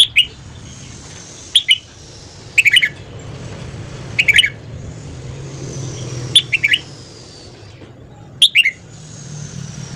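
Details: Red-whiskered bulbul singing in the morning: short, bright two- to four-note phrases repeated every one to two seconds, clipped and whistled, with a soft low rumble and a thin steady hiss behind them.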